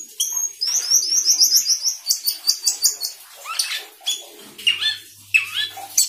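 Asian glossy starling in steady song, rapid high chirps and metallic squeaks that become varied whistled phrases, some sliding up or down. A faint low hum is briefly heard.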